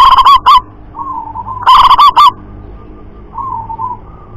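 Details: Zebra dove, a local wild perkutut, calling hard: loud rolling coo phrases of several quick pulsed notes, two bursts about 1.5 seconds apart, followed by quieter drawn-out cooing in the background.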